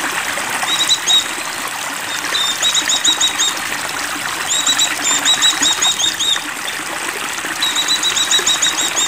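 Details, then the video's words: Oriental white-eye in breeding condition giving repeated bursts of thin, fast twittering, about four phrases spaced a couple of seconds apart, over steady water trickle. "Birahi Pleci"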